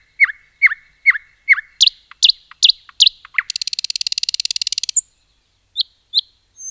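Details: Common nightingale singing in a forest: a series of loud, repeated down-slurred notes about twice a second, then a fast buzzy rattle, a short pause and a few high thin notes; no other sounds.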